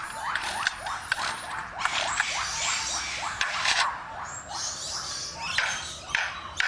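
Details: A lyrebird copying construction noises gives a fast series of repeated upward-swept notes like a machine revving, mixed with harsh noisy bursts and scraping sounds.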